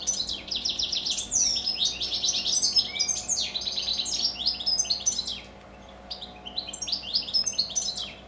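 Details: Goldfinches kept indoors sing into the evening with rapid, high liquid twittering and quick repeated chirps. A short pause near the end is followed by more tinkling phrases, over faint background hum.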